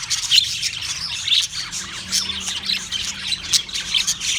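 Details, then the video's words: Chorus of Australian parrots, March 15, 2024, many birds giving shrill, rasping squawks in rapid overlapping bursts, with a few sharper whistled notes cutting through. "Sounds of Australian Parrots"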